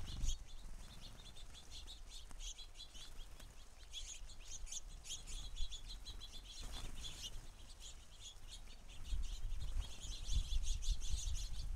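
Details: A busy flock of house sparrows at a feeder chirps almost continuously: sharp, high repeated notes running in fast series, with a soft low rumble and a brief flutter.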